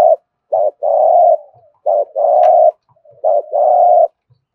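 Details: Spotted dove giving thúc gù style cooing: a long low steady coo, then a short two-part note followed by a drawn-out coo, phrases about every 1.5 seconds, clean with no other sounds.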